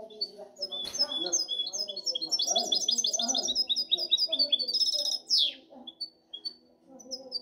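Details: European goldfinch hybrid song: a sharp click, then a long run of fast, repeated tinkling notes rising into a dense trill, a steep downward sweep, and a few sparse high chirps afterwards.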